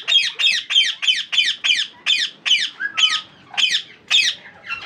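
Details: Hungry ringneck parakeet chicks begging during feeding, in captivity: harsh, squawky, down-slurred calls repeated about twice a second in a steady train, some fainter tonal notes in between, indoors.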